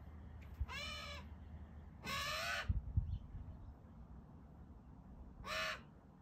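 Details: A magpie utters three loud, harsh, buzzy wails, each about half a second long, separated by pauses of about one to three seconds, with a few soft knocks and low rumble behind.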